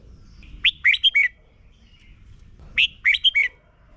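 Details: Red-whiskered bulbul song played for young birds to learn: two identical phrases of four quick warbled whistles, falling in pitch, about two seconds apart, over soft low background hum.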